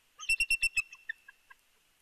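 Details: Bald eagle calling from the nest in early morning at Big Bear, captured on a live nest cam: a quick run of five loud, sharp piping notes, then a few softer, spaced chips trailing off, with a faint steady high tone behind.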